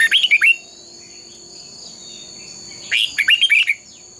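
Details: Red-whiskered bulbul giving its fighting song in training: two short bursts of quick, bright whistled notes separated by a gap of about two seconds, over a constant high-pitched hum.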